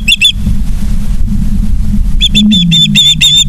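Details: Osprey on a nest in Charlo, Montana, nest cam, 09/03/2023, 18:54: brief bursts of rapid high chirps at the start and end, separated by a stretch of steady low rumble like wind.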